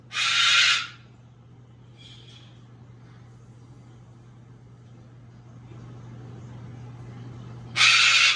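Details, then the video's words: A pet bird gives two piercing, harsh screams about seven seconds apart, with a faint short chirp in between over a steady low hum. "WARNING- LOUD!!!!* Please, if you can’t handle loud noises- DO NOT GET A BIRD!"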